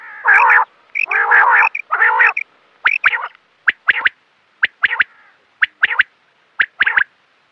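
California quail: three loud, nasal, rough-edged notes, then a run of short, sharp clipped notes about once a second.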